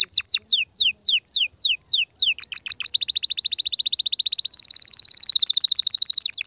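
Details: Canary singing to stimulate the female: a run of slow descending whistled slurs, then a few quick notes leading into fast rolling trills that step up in pitch near the end.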